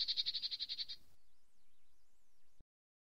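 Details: Eurasian nuthatch giving a rapid trill of high repeated notes lasting about a second. A faint wavering whistle follows before the sound cuts off.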